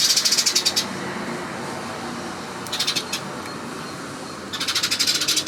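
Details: Great spotted woodpecker drumming, with three bursts of sharp, rapid, high clicking notes, each run lasting under a second, over a steady background hiss.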